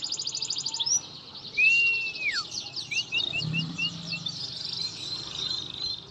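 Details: Song of an Atlantic canary, used to coax a silent canary to sing: high rattling trills, one long clear slurred whistle dropping in pitch, then quick chip notes and a dense rolling trill, with soft background noise.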